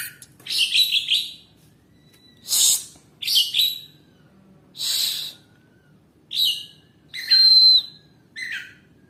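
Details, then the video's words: Full song of an Oriental magpie-robin, delivered as separate loud bursts every second or so: harsh, buzzy, scratchy phrases mixed with a single clear, level whistle late in the sequence. "BURUNG KACER KETIKA SUDAH ON"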